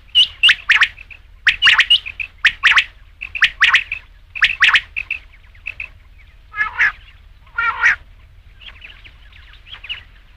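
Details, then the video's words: Rain quail giving rapid two- and three-note bursts at about one per second. Later come a couple of harsher, lower notes, then softer fading calls. "batair ki awaz raat ke liye | rain quail sound"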